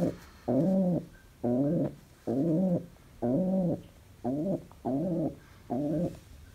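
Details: Indoor pet pigeon, said to be very happy, cooing in a rhythmic series of throaty, bubbling notes that swell and dip, seven coos spaced about a second apart with quiet gaps between.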